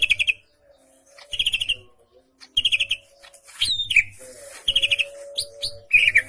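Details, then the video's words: Greater green leafbird sounds come in repeated short, buzzy chirping bursts every second or so, with a few sharp whistles mixed in, rough in texture, between brief quiet pauses. "Cucak Ijo Gacor Ngentrok Jambul Tembakan Rapet Kasar Variasi Juara"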